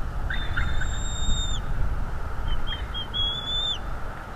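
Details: Bald eagle father on a North East Florida nest cam, driving off an intruder: two long, thin piping whistles, then a few short chips and another long whistle over a steady background hiss.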